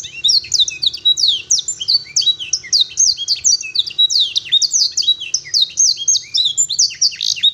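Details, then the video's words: Long, clear song of a canary filled with blackthroat and sanger material: an unbroken stream of high chirps, slurred whistles and dense rapid phrases, very bright and energetic. "Kenari isian blackthroat dan sanger, durasi panjang suara jernih"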